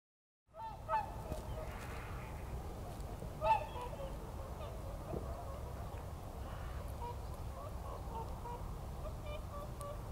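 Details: Wintering swans at their lagoon roost in early morning, leaving to feed in nearby rice fields, filmed on a Sony RX10 IV; a few clear nasal honks stand out near the start over a steady low rumble and a distant murmur of many calling birds.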